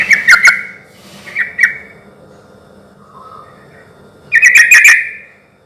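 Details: Sooty-headed bulbul song for luring other bulbuls to answer: a bubbly chattering burst, two softer notes, a low quiet warble, then a longer lively phrase of rapid bubbling notes.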